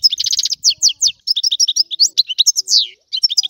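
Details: European goldfinch twittering fast and high, with rattling trills, sharp slurred chips and a drawn-out buzzy note near the end.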